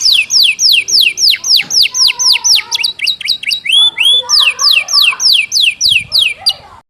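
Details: Canary trained with the song of the Java sparrow, delivered fast and tight: rapid, evenly spaced descending whistled notes, about three or four a second, with a brief switch to rising notes midway.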